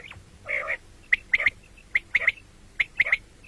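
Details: Common quail call, morning and night: one buzzy rasp, then sharp, clipped notes in quick triplets, repeated roughly every three quarters of a second.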